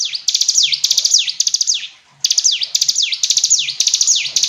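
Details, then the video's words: Fast, high song of a hill prinia: bursts of sharp downsweeping notes mixed with rapid ticks, split by a brief silence midway. "Ciblek gunung istimewa, hitungan detik dijamin langsung bunyi ‼️ jernih"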